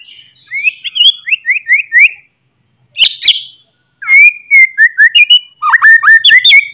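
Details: Morning song of a white-rumped shama, loud and lively, for provoking caged birds to fight: quick chirping runs, two sharp harsh notes, then drawn-out whistles with a fast trilled finish.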